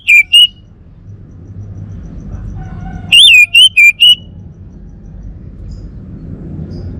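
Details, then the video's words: Bali male orange-headed thrush gives the tail of one whistled phrase and, after a faint soft note, a full loud run of five wavering whistles. Low steady hum sits underneath. "Kicau Burung ANIS MERAH Bali Jantan"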